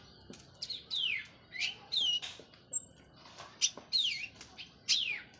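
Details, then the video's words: After finishing its moult, a local Cililin orange-headed thrush sings a loud open song of rich descending whistled slurs, about one each second, mixed with sharp chips, in a quiet setting. "KICAU ANIS MERAH PLONG + TELER LOKAL CILILIN BERES MABUNG"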